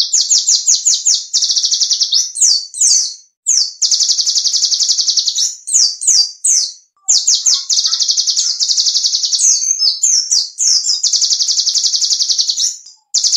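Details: Small songbird song used for training competition birds: rapid high, sharp trilled bursts and chattering phrases, repeated almost without pause, with short gaps between strings of notes.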